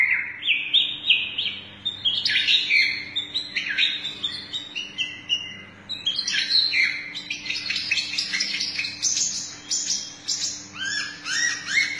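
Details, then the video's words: White-rumped shama, long-tailed type, singing in full flow as it bows repeatedly in a judge-saluting show posture; quick varied whistles and trills run into continuous high, scratchy, rapid-fire phrases with steady faint background hum. "Murai batu nembak sambil sujut"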